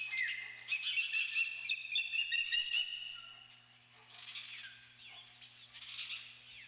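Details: Osprey at the Dunrovin Ranch nest, 28 May 2013: clear whistled chirps repeated quickly for about three seconds, then softer, hoarse squeals. A low hum continues throughout.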